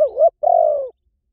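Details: Spotted dove, in a decoy recording: one phrase made of a bending, undulating first note and then a long, smooth hoot that slowly drops in pitch at the end.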